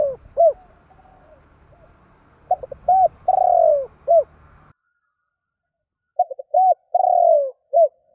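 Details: Spotted dove calling to provoke other doves, a lure call used in Vietnam: short cooing notes then a long descending purr-like coo, phrase repeated twice with a silent gap, faint low background hum in the first part.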